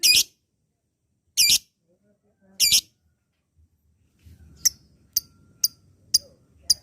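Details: Lovebird calling: three loud, harsh squawks about a second apart, followed by five short, sharp, high chirps at roughly half-second intervals over faint background rustling.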